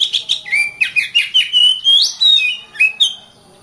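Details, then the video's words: Varied oriental magpie-robin song: a continuous string of sweet whistled notes that slur up and down, with a rising sweep near the middle, each note distinct and loud. "Kacer Bird Singing"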